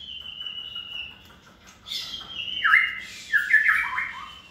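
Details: Hand-reared, caged white-rumped shama in its second season, kept for contests. A thin steady whistle gives way to a scratchy burst, then loud descending whistled slurs.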